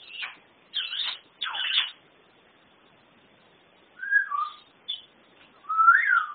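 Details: Pet African grey parrot, a mimic known to say Norwegian phrases such as greetings, imitate burping and more: short speech-like bursts, then clear looping whistles rising and falling, heard in a quiet indoor setting.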